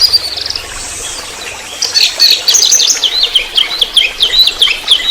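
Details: Orange-headed thrush singing in trotol style, a master recording meant to lure songbirds into singing: a brief trill and thin whistle, then a long fast stream of varied chattering, squeaky and whistled notes.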